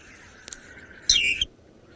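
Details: Groundscraper thrush (Turdus litsitsirupa), a lone territorial bird in shade of a tree during breeding season, Sabi Sand, South Africa, January evening: a faint click, then a brief bright chattering phrase of descending whistled notes, answering a played call.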